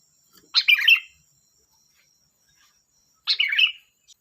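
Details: Sooty-headed bulbul, known as kutilang, delivering two clear, loud bubbly warbled phrases about three seconds apart, each a quick tumble of liquid notes, with near silence between.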